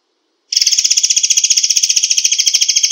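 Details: After a brief silence, a white-rumped shama launches into a rapid-fire 'tembakan rapat' song, an unbroken, even stream of sharp, buzzy, high notes fired in quick succession.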